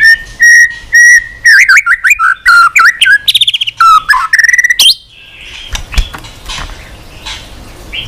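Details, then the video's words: White-rumped shama in continuous song with many unusual voices: repeated short whistles, then a fast run of varied warbled and trilled notes, ending abruptly into quiet rustling. "kích chòe lửa hót cực bền.hót liên tục , tạch đuôi sàn cầu kích là hót.chòe lửa hót nhiều giọng lạ"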